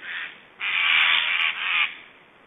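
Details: Black storks in Estonia on 1 July 2012, making strange sounds during feeding: a short harsh hissing rasp, then a longer noisy rasp of about a second and a third briefer one, all breathy and toneless.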